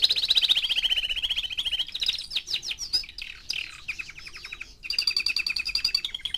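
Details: A four-month-old canary delivers a loud sustained trill, then choppy mixed phrases and a second rapid rolling trill, notes pulsing several times a second.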